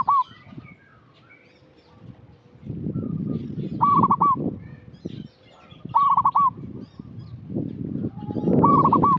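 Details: Local zebra dove singing actively, a lure for untrained birds: four bursts of rapid, bubbling, staccato cooing near the same pitch, repeated every two seconds or so, over loud low rumbling and thumping noise.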